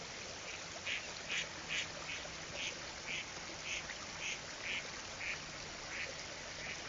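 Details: Lesser scaup duck while bathing and diving: a steady series of short, raspy, nasal notes, about two per second, roughly fourteen in all, over a constant background hiss of rushing water.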